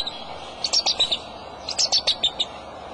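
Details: Male bald eagle calling from the nest with eggs, March 23 at 2:26 pm; two quick runs of high, thin piping chitters, five or six notes each, slightly falling in pitch, over low hiss.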